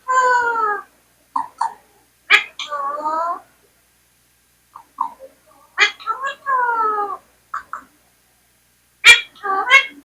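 An Indian parrot talks in short, nasal, wavering phrases broken by sharp squawky clicks, coming in three bursts with quiet pauses between.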